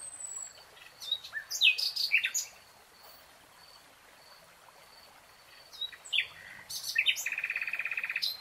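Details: Nightingale singing through a lush green forest. Varied sharp phrases and slurred notes are followed by a fast rattling trill of repeated notes, with quiet gaps between. A faint thin high tone carries on behind.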